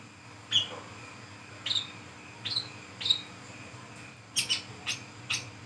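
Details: Night-time brown-throated sunbird song in the 'ngriwik ngeplong' style, used as a lure in the forest: four evenly spaced piercing high chirps, then a quicker run of four sharper, brighter notes near the end, steady faint hum underneath.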